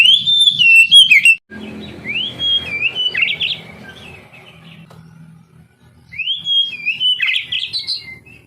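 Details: Oriental magpie-robin song meant to stir lazy young canaries into song: an opening burst of whistles, a quieter middle with soft chirps and low hum, then bright rising slurred whistles return.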